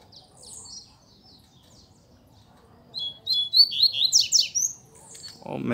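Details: A saffron finch sings in the background in scrub during a field outing with wild coleiros, giving high, sharp chirps in a quick, uneven run. A soft rustle closes the passage.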